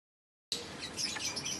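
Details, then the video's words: African lovebirds, male and female birds of various colours, chirping in a dense, continuous high-pitched chatter of overlapping squeaky notes after a brief silence. "African Love Birds All Colors Natural Sounds Activity - Male Female African Love Bird Chirping Sound"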